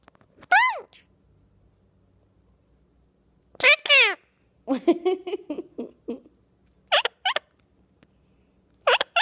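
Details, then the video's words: Two-year-old male pet Indian ringneck chattering to the camera indoors: bursts of harmonic, speech-like syllables with sweeping squawky tones, spaced a few seconds apart, and a longer run of rapid babbled syllables in the middle. "Bird doesn't stop talking to the camera!"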